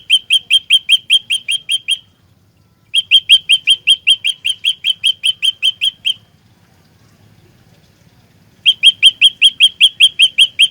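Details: Trapping-lure olive-backed tailorbird, fighter type, chattering constantly: three bursts of quick, piercing repeated chirps, about ten, then fifteen, then ten notes, separated by a short pause and a longer silence.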